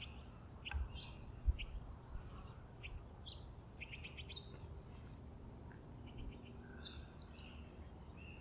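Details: Brown Creeper in spring foothill forest giving its very high-pitched song, a short, thin, sparkling warbled phrase late in the recording, preceded by scattered high chirps and trilled notes from other birds, with steady low background noise.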